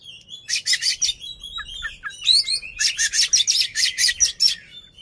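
Oriental magpie-robin in loud, high-pitched song: rapid bursts of scratchy, buzzy notes about four a second, broken by a few slurred whistles.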